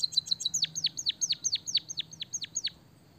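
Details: Lively white-headed munia song carrying canary-style phrases: quick high ticking notes that flow into a steady string of bright, downward-swooping whistles, roughly two each second, fading out after about two and a half seconds.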